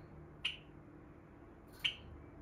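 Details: A pet female Java sparrow indoors at bedtime gives two sharp, high chip notes about a second and a half apart over a faint low hum; the owner guesses she wants the blinds closed so she can sleep.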